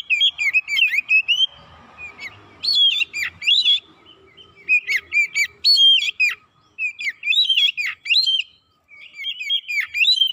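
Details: Oriental magpie-robin lure song used to stir birds: a long, busy sequence of varied whistles, bent notes and sharp chips in rapid bursts, with a short hiss of noise early on.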